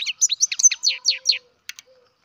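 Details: Captive-bred European goldfinch chick giving a lively string of about ten high, sliding chirps in just over a second, followed by two faint clicks and a quiet low hum.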